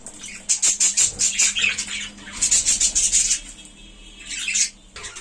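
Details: A colony of kept budgerigars chatters in loud rapid bursts of high, scratchy, pulsed chirps, two dense runs separated by a brief lull, then a final short outburst.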